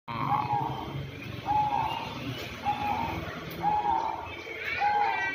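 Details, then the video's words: Zebra dove of the banyumili type, kept about six years; soft mellow cooing phrases repeated about every second, each a short wavering note, with background hum and faint other sounds. "perkutut katuranggan banyumili gacor bisa di panggil"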